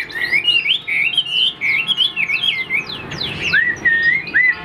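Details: Chinese Hwamei singing in its cage: clear, looping whistles in quick succession, ending with longer slurred notes.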